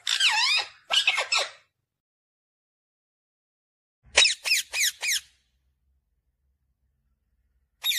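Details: Pet parrot talking, taught to say "mummy papa": high, squeaky, nasal word-like bursts. Two come early, then a quick run of four, then one more, all separated by silence.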